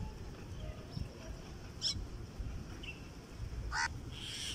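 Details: Crows calling outdoors: two short, harsh caws roughly two seconds apart stand out over a steady low rumble of background noise.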